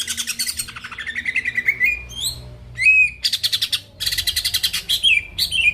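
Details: Greater green leafbird song aimed at provoking rival birds: bursts of fast, buzzy rattling trills alternating with sharp whistled upslurs and short pauses, energetic and varied throughout.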